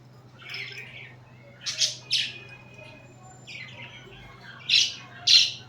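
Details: Pet budgies cuddling and fighting give isolated short scratchy chirps in pairs, separated by quiet gaps, with a low constant hum beneath.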